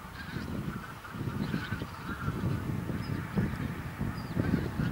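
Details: Flock of a couple of thousand bean geese in a field on Texel, Holland, 22 November 2014: a continuous low honking and cackling chorus, many birds calling at once, with some higher yelping notes above.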